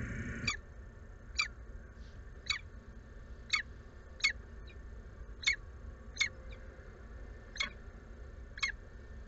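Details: Female peregrine falcon calling at her nest box in Włocławek for a mate that never arrives, afternoon of 6 April 2022; short sharp clipped notes repeated roughly once per second, evenly spaced, fainter, with low steady noise.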